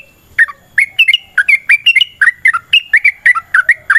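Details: Yellow-vented bulbul in energetic fighting song meant to spur other bulbuls into singing: a brisk, continuous string of rich whistled notes, alternately rising and falling, roughly four per second.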